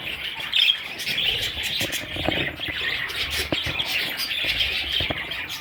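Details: Several little parrot babies give a steady wash of thin, high chirps that overlap without pause, with faint fluttering and soft knocks in the background.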